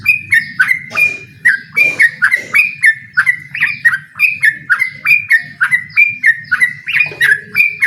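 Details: Yellow-vented bulbul challenging a rival in song, with a fast, steady run of sharp whistled notes that slur downward, two or three each second, over a faint low rumble.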